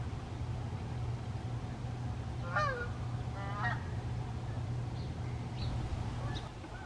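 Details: Canada geese in formation flight: two loud, clear honks close together near the middle, then a few fainter distant honks, all over a steady low droning hum.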